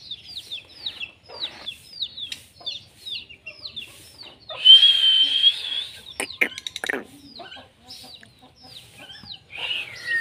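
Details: Indian ringneck parakeet, a pet, greeting a new baby Indian ringneck parrot at home: a run of quick high chirps about three per second, then a loud harsh squawk near the middle, followed by clicks and scattered softer chirps.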